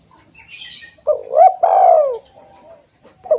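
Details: Spotted dove call for luring birds: a brief high chirp, then a rising coo and a drawn-out, falling croon, with another coo beginning at the end.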